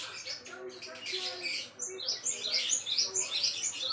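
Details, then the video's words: Java sparrow, locally gelatik wingko, singing as a tutor recording for songbirds: a mix of chirps that gives way to bright, high, clipped notes repeated roughly twice a second over steady twittering. "burung gelatik wingko buat masteran"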